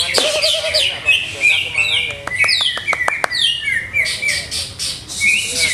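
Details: Caged greater green leafbird during keeper trials of its setup, delivering bright stepped whistles that slide downward, sharp clicks and a brief warbled run, phrases tumbling together with little pause; faint voices and hum beneath.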